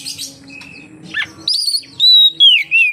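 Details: Oriental magpie-robin singing to lure others of its kind into song; after soft chatter and a swept chirp come brisk whistled phrases ending in a long clear note that slides downward.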